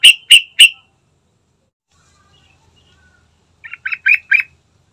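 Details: Yellow-vented bulbul lure song, meant to provoke a bird into singing quickly: three loud, sharp chirped notes in fast succession, a silent gap, then four quicker buzzy chirps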